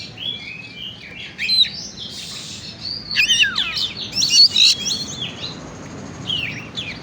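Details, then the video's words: Oriental magpie-robin song used as a bird-stimulating lure: varied high whistled phrases with loud downward-sweeping notes, buzzy chatter and quick twitters in irregular bursts. "Pancingan burung kacer on"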